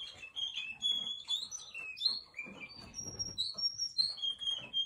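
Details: Russian canary song with fluid whistled notes sliding down, then a series of short level whistles stepping between pitches, steady and sweet.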